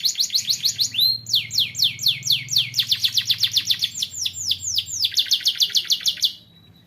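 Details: Singing young canary used as a training model for other birds: quick runs of downward-sweeping notes, shifting tempo and phrase, ending on a brief soft held note after six seconds.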